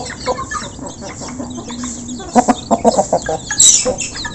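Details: Local chicken flock eating after being given food, recorded close: a quiet low purring note early, then a burst of loud repeated clucks, plus a sharp high chirp near the end.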